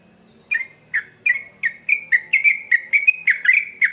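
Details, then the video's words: Sooty-headed bulbul, described as a lively trucukan gacor, delivering a quickening string of sharp, downslurred chirps, starting spaced and accelerating to a dense chatter, with a faint low hum underneath. "Trucukan Gacor Ngamuk"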